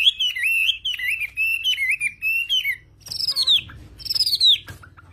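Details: Chinese hwamei of mountain stock from the Central Highlands forests of Vietnam singing loud, rich whistled phrases that swoop and warble in a rolling chain for three seconds, then two higher, falling slurred notes after a pause.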